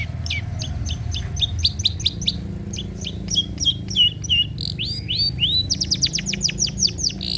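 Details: Long-tailed shrike song from training material for birds that rarely sing: rapid, regular high chirps that change into upward-swooping whistles and end in a fast, dense chirping run.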